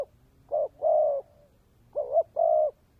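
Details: Decoy spotted dove in 'kèm dày' style giving two soft low coo phrases, each a short note followed by a longer even coo, about a second and a half apart.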